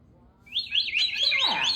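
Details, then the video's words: A pet cockatoo kept indoors, upset by roughly 40 mph wind moving the trees outside, gives a harsh, wavering screech that rises and falls, starting high and thickening into a raspy squawk over about a second. "Tango is so mad that it’s windy outside!! He is over it"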